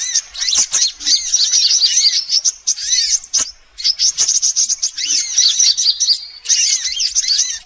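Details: Sunbirds on a lure track for every sunbird kind: bursts of piercing high twittering and trills, broken by short silences, one thin drawn-out whistle near the end.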